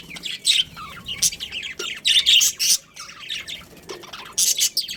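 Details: Budgerigar breeding pair kept at home calling in irregular bursts of harsh, buzzy squawks and high chirps, with near-silent gaps between louder clusters.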